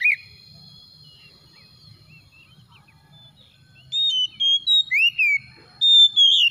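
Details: Oriental magpie-robin lure song, meant to make a reluctant bird sing: a few seconds of near silence, then a run of clear whistled notes with a swooping slur and a bright closing phrase.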